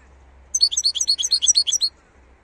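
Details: A wild European goldfinch delivers a bright, rapid twitter of high, liquid chirps, about fourteen quick notes run together in a burst lasting roughly a second and a half, over a quiet background.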